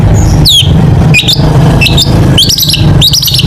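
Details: Long-tailed shrike singing mimicry phrases: short high notes that slide downward, then paired chattering double-notes near the end, all over a loud low rumble like passing traffic.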